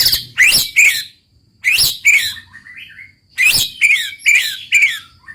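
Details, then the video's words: Murai batu, or white-rumped shama, singing in roll tembak style: loud scratchy whistled bursts with twisting notes, each followed by softer warbles, repeated in three groups with short pauses. "muraibatu roll tembak ajib bikin lawan naik emosi dan ikutan gacor MURAIBATU GACOR | SHAMA BIRD"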